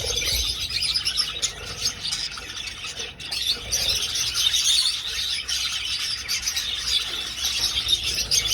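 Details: Flock of budgerigars flying in an aviary, filling the air with constant high twittering chirps and warbled chatter at an even loudness.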